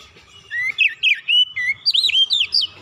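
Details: Oriental magpie-robin song used to provoke other birds into singing: a relaxed series of loud, clear whistled notes sliding up and down, several swooping phrases strung together after a short quiet start.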